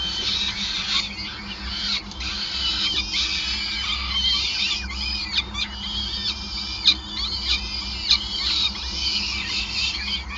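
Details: Nest of peregrine falcons in Groningen on 5 May 2020 during feeding; many shrill, rising and falling squeals crowd together with a few louder clicks and a low hum.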